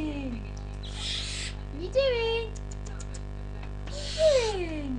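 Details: Captive 4-week-old barn owl chick screeching to get out of its cage while climbing on the bars; two harsh, hissing screeches, each about half a second to a second long, with a person's voice between them over a steady low hum.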